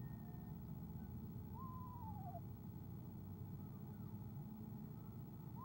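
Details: Eastern screech owl, recorded by a nest camera on 17 February 2015, trilling softly at its mate's arrival: a single tremulous, falling trill early on, a steady low drone beneath.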